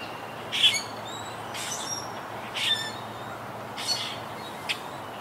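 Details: Wild Quaker parakeets of a yacht club colony hit by Hurricane Irma in 2017: four spaced, harsh squawks about a second apart, plus a short final chip, against a low hum.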